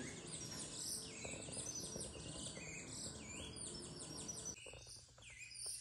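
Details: Caged saffron finch, known locally as canario criollo, flapping its wings while singing: rapid high chirping notes with swooping down-slurred phrases, several birds overlapping, over a steady background hum.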